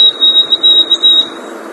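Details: White-throated sparrow, present and singing in winter in this area, played back: a single long, pure, drawn-out high whistle held steady for over a second, with a hollow room-like background.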